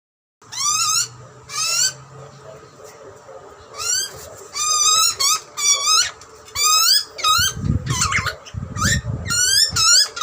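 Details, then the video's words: Wild butcherbird chicks in Australia screaming for food as parents feed them: harsh, rising, harmonic squeals in bursts of two to four, with gaps between bursts and low rumbling noise late on. "Baby bird screaming for food ? Cute Butcherbirds chirping & feeding."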